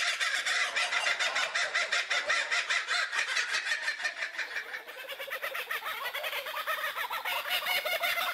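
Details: Kookaburras laughing like humans, a dense unbroken chorus of rapid, harsh, rhythmic cackles carrying on for the whole stretch, with overlapping voices swelling and easing slightly in the middle.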